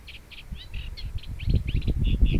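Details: Fieldfare uttering a quick series of harsh, scratchy chack notes in uneven clusters, with low rumbling wind or handling noise growing louder toward the end.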